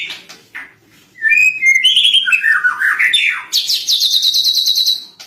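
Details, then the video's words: Captive lovebird tutored with recorded birdsong, singing its cililin fill: a few short chips, then slurred whistles falling in steps, switching into a long, fast, high buzzy trill. "bongkar isian cililin Lovebird masteran burung"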